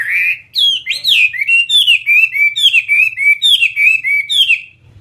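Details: Chinese hwamei, a Vietnamese fighting-type bird, sings loud ringing whistles. Slurred rising-and-falling phrases repeat roughly once a second, each rich in overtones, over a faint low hum.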